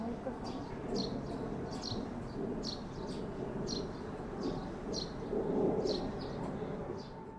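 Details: Sparrow at the Kanzaki River calling a steady run of short, sharp chirps, about one every three-quarters of a second, over a constant low rumble of background noise.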